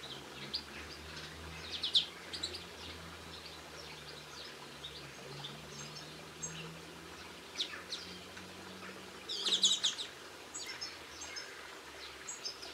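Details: Linnets recorded on 22 March 2016, giving scattered bright twittering chirps and short trills, with louder bursts near two and again near ten seconds over a steady low background hum.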